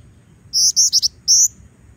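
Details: Actively singing female black-winged flycatcher-shrike, used as a lure for training birds: a quick phrase of four high, clear whistled chirps, then a pause and one longer high whistled note, over a quiet background.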